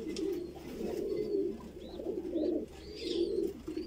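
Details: A baby pigeon, described as a Voorburg Shield Cropper, being fed gives low, throaty, fluttering begging sounds in uneven bursts about once a second, with faint higher squeaks over a quiet room.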